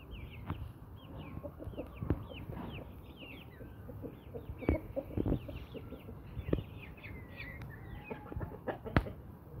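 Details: Brahma breed hens and roosters kept as pet birds, giving short, low clucks scattered irregularly through the stretch, while many high, thin chirps from small birds run above them.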